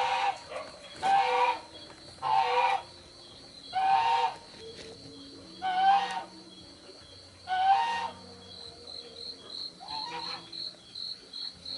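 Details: Juvenile spotted dove calling with a series of rough, breathy squeals at irregular intervals, while a high insect pulses steadily in the background toward the end.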